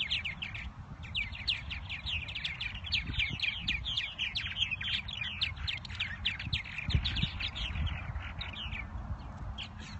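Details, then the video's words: Purple martins in spring at their nest houses by the lake at the Irving Park bird sanctuary, Chicago, with some nesting behaviour; dense chorus of rapid gurgling, chirping notes from many birds, steady low wind and city rumble beneath. "Purple martins in spring in Chicago"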